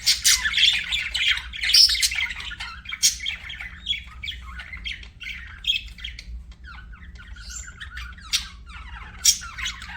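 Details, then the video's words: Budgerigar chirping: buzzy chatter at first, then sparser, separated short squeaks and raspy notes spaced irregularly, ending with a few sharp clicks over a quiet hum. "BUDGIE CHIRPING SOUNDS"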